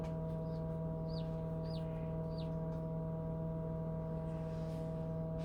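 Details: Chicken chick hatching inside a home-built incubator converted from an old refrigerator, giving thin high peeps that slide downward, four or five spaced about half a second apart, over a loud steady machine hum.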